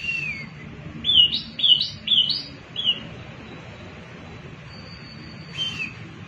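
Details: Wambi mini singing as a lure for other birds: a downslurred whistle, then four quick bright rising-falling notes about half a second apart, a pause, and one more whistle, with a quiet low hum underneath.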